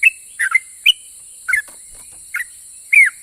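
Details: Brief ropel song of a sooty-headed bulbul, meant to prompt other bulbuls to answer: a handful of sharp whistled notes and slurred doublets in about three seconds, with steady high hiss behind.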